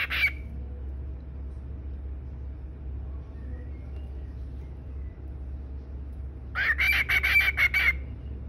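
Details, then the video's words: A pet cockatiel, angry at being interrupted, gives a brief harsh squawk, then a burst of rapid, loud, raspy screeches lasting over a second, over a low steady hum. "Little parrot gets mad when he is interrupted"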